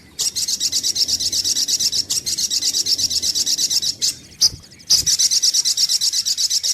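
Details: Sunbird lure recording for bird trapping: sustained high, rapid buzzy trill that breaks off briefly a few times, with low background rumble and a couple of thumps.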